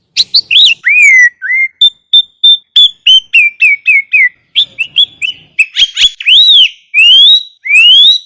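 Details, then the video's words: Sooty-headed bulbul master song with rich fill-in phrases, meant to train bulbuls and make lazy ones sing: a busy string of quick chirps, sliding whistles and rising sweeps, loud and clear, with no other sounds. "Masteran Kutilang Isian Mewah RAJA PIKAT ini AMPUH MENJADIKAN burung kutilang gacor dor"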